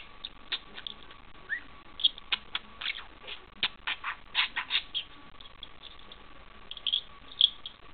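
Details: Pet parakeet mimicking a bell while wrestling with a person's thumb; scattered short sharp chirps and squeaks with scratchy scuffling in between, brief bright peaks near the end.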